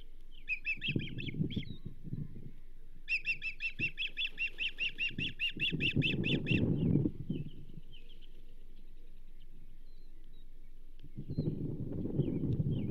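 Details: Osprey at the Charlo nest on 27 April 2024, with a whole whitefish delivered to the banded female. Sharp whistled chirps come first in a short burst, then in a fast, even run of rising notes for about four seconds, over low rumbling wind and nest noise.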